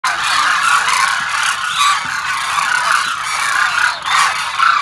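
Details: A large flock of Demoiselle cranes landing on the feeding ground at Kheechan, Jodhpur, Rajasthan, makes a dense, continuous chorus of overlapping croaking, trumpeting calls that swells and dips throughout.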